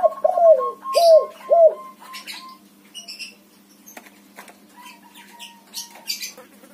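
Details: White backspot spotted dove cooing: three rounded, downslurred low coos at the start over a thin steady tone, followed by scattered high chirps and ticks from other birds.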